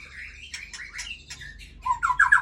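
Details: Female Aceh white-rumped shama, a breeding bird, delivering harsh, buzzy notes with a scratchy edge, then a louder cluster of rough, chattering calls at the close.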